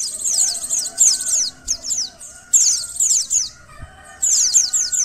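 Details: Sequence of white-eye chirps from Indonesia for an emotion and arousal test: rapid runs of high, descending notes in three bursts separated by quieter pauses.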